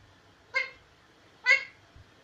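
An Indian ringneck parakeet says two short, nasal, voice-like syllables about a second apart in a quiet room.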